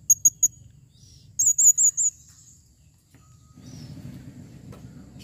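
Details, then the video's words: Calling female blue-crowned hanging parrot, recorded in 2021, gives three quick thin high notes, then a short run of wavering shrill whistled chirps, followed by faint low rumbling background noise. "serindit betina memanggil"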